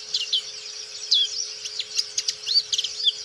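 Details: Black-capped white-eye in lively song: rapid, high-pitched warbling of thin twittered notes and upward-slurred whistles, with a few sharp clicks, delivered almost without pause over a faint steady background hum.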